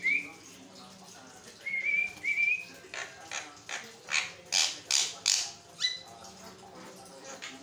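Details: Javan myna (jalak kebo) singing nonstop as a master song to make other mynas respond; a few thin rising whistles, then a regular series of loud harsh rasping bursts roughly every half second.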